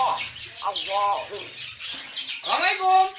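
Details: Talking bird imitating human speech in a room, producing a run of rapid, voice-like syllables with warbling, rising and falling tones, ending in a clear whistled note.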